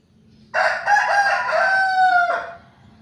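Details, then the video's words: Chicken crowing in a backyard in the morning: one loud, long, harmonic crow lasting nearly two seconds, with a rough start and a drawn-out, slightly falling ending, over a low background hum. "suara ayam"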